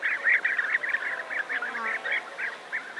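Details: A large colony of European bee-eaters near Navalcán, New Castile, Spain: many rolling, burry 'prruip' notes overlapping almost continuously, several per second, with a guitar playing in the background.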